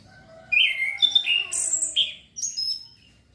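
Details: Young male orange-headed thrush learning to sing in the loud, continuous ngeplong ngecir style, used as a lure to train young birds; varied clear whistled phrases jumping between high and lower notes, with brief buzzy slurs, then a short pause and a final high whistle.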